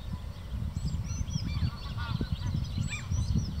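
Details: Two shelducks giving a run of nasal, honking calls with harmonic, wavering notes through the middle of the clip, over heavy low rumbling wind noise, with thin high chirps of other birds above.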